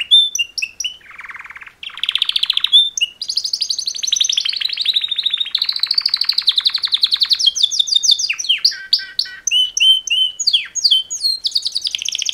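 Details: Two male canaries sing a long mating-call song, shifting from a low rattling trill to fast ringing high trills, then sharp whistled chirps and varied quick notes.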